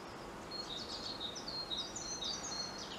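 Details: Treetop European robin song: a rapid string of very high, thin, tinkling notes and short trills, steadily flowing, with persistent low background noise.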